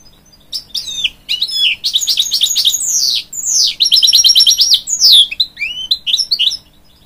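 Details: Song of a hybrid goldfinch crossed with a canary, sung to encourage young chicks: lively high warbling with descending whistled slurs and quick repeated trills, loud and clear over near silence.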